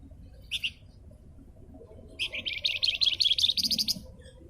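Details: Javan fulvetta in full song for cage-bird training: two short chirps, then a long, rapid, high-pitched chattering trill of repeated notes lasting about two seconds.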